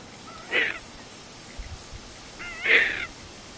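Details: A young Tawny frogmouth at Roo Gully calls for food: two harsh, raspy wheezing calls about two seconds apart, the second longer and louder, over a quiet background.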